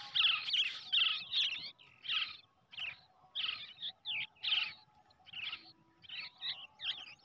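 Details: Hand-raised brown shrike chick, reared from the egg, begging with harsh, buzzy, raspy calls repeated in quick bursts, about sixteen calls in seven seconds, with short gaps between them.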